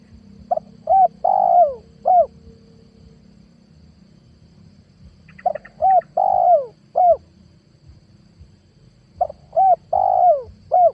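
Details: Lure cooing of a spotted dove from 2022, used to draw wild doves. Three repeated phrases roughly four seconds apart, each with quick soft notes leading to a long sliding coo and a short final note. A constant low hum is present.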